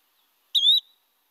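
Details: A Yellow-bellied Flycatcher gives its second, very whistly song type: one short, clear, slightly rising whistle, similar to a shortened Eastern Pewee call, with nothing else heard.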